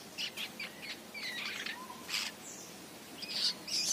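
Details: A young long-tailed shrike outside its cage, later sleeping on a roof tile, gives a scratchy, chattering run of high squeaky notes in quick bursts, with one lower whistled note midway.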